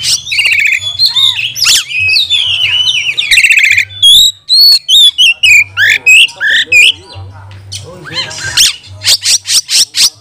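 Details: Oriental magpie-robin (kacer) kept as a cage bird, singing a loud, aggressive provoking song used to train and rile other magpie-robins during lockdown: varied whistles, harsh chatters and rapid repeated notes, with a low hum underneath.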